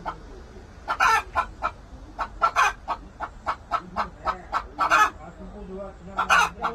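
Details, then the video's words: Korean native chickens: a run of short, rapid, throaty clucks and louder cackling notes, roughly two to three per second with bursts of stronger calls, no rooster crow heard. "닭 울음소리☆☆☆ 재래 토종닭 korean native chicken 자연의 소리!!! 수탉 울음소리 꼬끼요~~~ 암탉 울음소리 꼬꼬꼬댁!!! 꼬꼬!!!"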